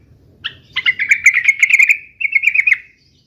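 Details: Loud, clear yellow-vented bulbul fighting song of the 'uplik uplik' type: a bright opening note, then a rapid warbling trill holding steady in pitch, cut briefly and resumed, over a quiet background.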